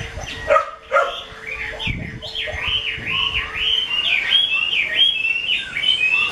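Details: A keeper's 'mơ' hwamei sings after a few short clicks and knocks: a flowing string of wavy whistled notes swinging up and down, loud and unbroken for four seconds. A steady low hum runs behind the first half.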